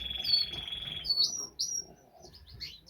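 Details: Gouldian finch chicks in a breeding birdshed in mid-May give a high, steady, buzzy begging rasp for about a second as they are being fed, followed by thin, sharp chirps from other aviary birds.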